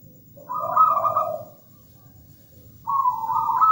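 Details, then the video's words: Zebra dove of local stock singing: a short phrase of paired high and low cooing trills, a pause of over a second, then another bright rolling trill rising slightly in pitch. "PERKUTUT GACOR MERDU MEWAH"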